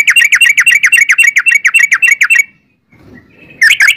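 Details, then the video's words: Yellow-vented bulbul singing a long rapid trill, a steady rattling chain of repeated slurred notes lasting over two seconds, a brief soft pause, then the trill starts again. "trucukan gacor ROPEL PANJANG"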